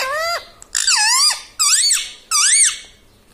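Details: Talking parrot (tota) mimicking speech: four squeaky, nasal, speech-like syllables, each sweeping up then down in pitch, spaced roughly three-quarters of a second apart, with near silence between them.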